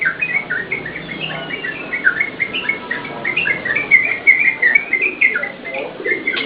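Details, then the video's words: Yellow-vented bulbul giving lively song, used as a lure for training caged birds: fast, jumbled chirps and short whistles repeated almost three times a second, with some background rustle. "SUARA TRUCUKAN GACOR UNTUK PANCINGAN DAN MASTERAN"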